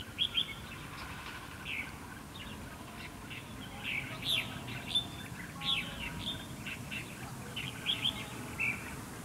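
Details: Red-whiskered bulbul singing as a trap decoy to provoke fighting; lively sequence of quick whistled and chirped notes in short bursts every second or so, with light background noise.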